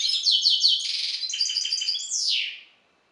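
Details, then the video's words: A European goldfinch hybrid of Carduelis carduelis balcanica parentage sings rippling buzzy trills and repeated chirps, closing with a long descending slur, then silence. "Singing the bastard Carduelis carduelis. Balcanika ( Śpiew bastarda po C.c. Balcanika )"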